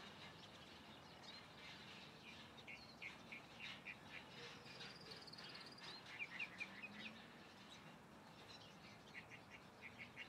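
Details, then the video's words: A calandria singing outdoors: a run of short chirped and whistled notes, some in quick bursts, fairly faint over a steady background hiss. "Calandria cantando"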